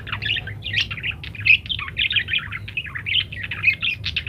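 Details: Parakeet in full varied song, used to train munias to chatter; a dense, continuous warble of squeaky, buzzy chirps and short twittering notes running without pause throughout.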